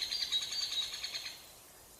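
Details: Great spotted woodpecker at its nest, a cavity dug in a tree trunk: a rapid run of thin, high chirping notes, many per second, lasting just over a second before fading into quiet.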